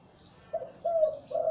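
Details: ['Deep-voiced breeding male zebra dove, Liw Tan style, uttering a brief run of three low, smooth, sustained coo notes in quick succession.']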